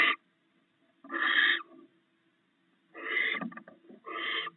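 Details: Barn owls, a mated pair, snacking on stored rats at their nest in the early hours; uneven harsh hissing screeches, some drawn out and trailing off, mixed with brief clicks and rustling between the calls.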